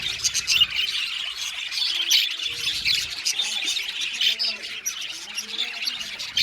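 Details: Colony of budgies in an aviary, continuous warbling chatter of many birds, scratchy chirps and short squawks layered without pause.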